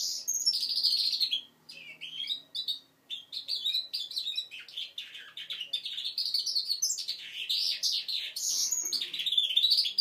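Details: Goldfinch mule at five months working on its song: long varied run of high twitters, warbles and trills with brief pauses and a faint low hum behind.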